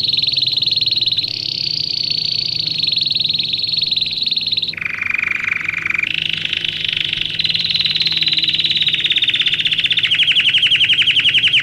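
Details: Domestic canary song for tutoring young birds in training: sustained high rolling trills, a sudden drop to a lower buzzing roll, then a climb back to bright trills that slow into distinct pulses at the end.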